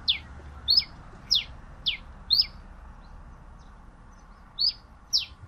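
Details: Pileated finch song made of brief, high, falling chip notes, five in quick succession, then a gap, then two more.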